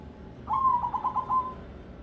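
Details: Zebra dove, a local Indonesian perkutut of the crossing type, sings in the ketekdobel rhythm: one cooing phrase of quick rolling notes at an even pitch, lasting about one second.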